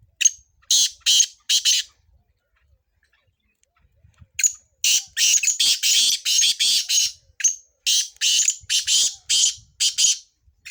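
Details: Sindhi black francolin used for chakree training. It gives rasping, buzzy notes, first a short cluster and then a long run of about fifteen harsh bursts after a pause, all high-pitched.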